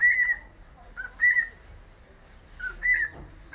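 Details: Cockatiel whistling the Sport club anthem: clear whistled phrases with slight pitch bends, three bursts across the stretch separated by short pauses, and quiet room hiss behind.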